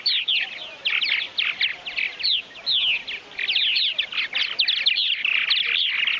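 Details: Purple Martins at a large backyard colony in Finger, Tennessee, giving a dense stream of rapid, gurgling, chirping notes, many birds calling at once with steady background hiss.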